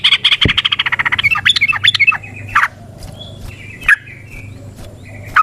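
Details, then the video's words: Lure recording of a yellow-vented bulbul in long, continuous song, meant to draw and stimulate other birds: a fast run of rapid bright notes, then scattered single whistled and harsh notes with quiet gaps. "Trucukan GACOR ngalas ROPEL PANJANG suara alam AMPUH buat pancingan"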